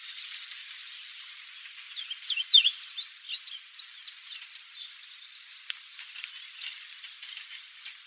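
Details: A chestnut bunting on Yonaguni Island, April 2001, one of five or six males, females and juveniles perched on branches at a hill foot, gives a quiet, rambling subsong of high, thin twitters and short scratchy notes over a soft hiss.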